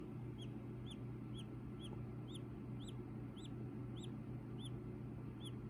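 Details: Baby Silkie chicken raised at home from a fertile egg bought at a roadside station; soft, high, slightly arched peeps repeat about twice a second over a steady low electrical hum.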